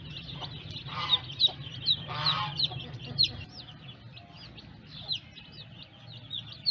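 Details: Newly hatched domestic chicks peeping together: many high, rapid, looping cheeps overlapping continuously, with a low hum and a few brief louder knocks.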